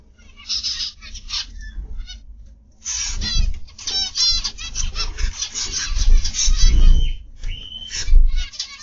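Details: Zebra finches in an aviary in the morning, many birds calling together: dense nasal, buzzy harmonic notes that rise into a busy chatter after a quieter start, with a low rumble underneath.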